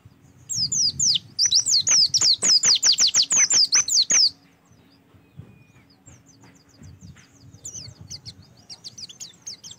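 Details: Prompting song of an Oriental white-eye for training kept birds: a lively run of about twenty high, sharply falling whistles lasting several seconds, followed by faint distant twitters over soft low background hum.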